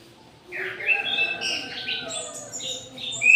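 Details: Midday aviary song of an orange-headed thrush: after a brief silence, a run of varied sliding whistles and warbles climbs higher and ends on a sharp, loud note.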